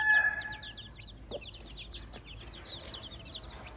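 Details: Farmyard hen with chicks: the tail of a loud rooster crow opens, followed by continuous high, descending chick peeps and a faint low cluck.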